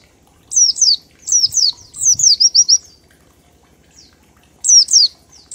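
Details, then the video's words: Oriental white-eye ngalas song with 1234 beats, used as a lure to get birds singing: three rapid groups of thin, high downsweeping chirps, a pause, then one more pair. "Pleci Ngalas 1234 ketukan untuk pancingan bunyi"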